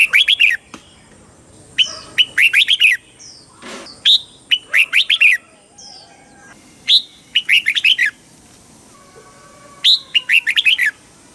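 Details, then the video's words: Red-whiskered bulbul song of the southern master style from Thailand, used to stimulate caged birds and tutor young ones; frequent clusters of lively slurred whistles, several rapid bursts close together, plus a few isolated single notes and a steady high background tone. "เสียงนกกรงหัวจุก ร้อง ริก เปิดให้นกฟัง ยั่วให้นกคึกจัด"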